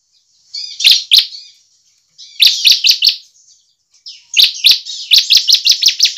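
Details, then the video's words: Bar-winged prinia in full song ('gacor'), used as a lure to get other prinias singing: high, buzzy rasping phrases with sharp clicking notes, ending in a quick run of about seven crisp ticks. "CIBLEK GACOR efektif untuk PANCINGAN CIBLEK agar cepat gacor dan ngebren."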